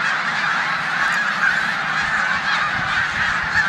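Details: Large flock of snow geese resting in a corn field in Savannah, New York, on 14 March 2020, before migrating to the Canadian tundra, mixed with resident Canada geese; a dense, unbroken chorus of overlapping high honks fills the whole stretch.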